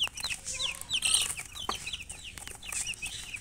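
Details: Chirping of colored baby chickens: dense, overlapping shrill peeps, each a quick high slur, several birds calling at once with bursts of hissy rustling.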